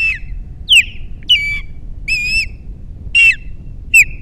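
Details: Osprey at a nest camera on Captiva with three chicks, 21 February 2022, after the female leaves: loud, clear whistled chirps, each sliding downward, given in spaced bursts roughly every half second to second, over a low rumble of background noise.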